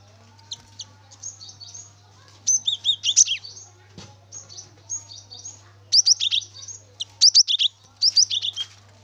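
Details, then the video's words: Javan munia singing as a lure to prompt another bird to sing: bursts of high, thin chirps and rapid rising notes, some doubled, with short gaps between phrases and a faint steady hum below. "Gelatik batu gacor rekomendasi Pancingan Gelatik batu agar bunyi"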